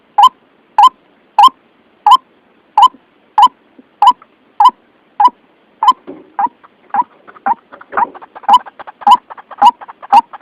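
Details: White-breasted waterhen lure call used for trapping: short, hollow croaking notes repeated steadily about every half second, becoming looser and more jumbled toward the end.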